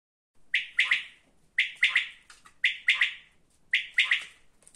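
A quail gives a sharp three-syllable call, repeated four times at about one-second intervals. The notes are clipped and liquid, and the background is quiet.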